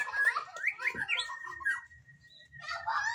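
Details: Magpie-robin giving quick slurred whistles and buzzy notes, then a long thin level whistle, ending with a burst of mixed chattering phrases.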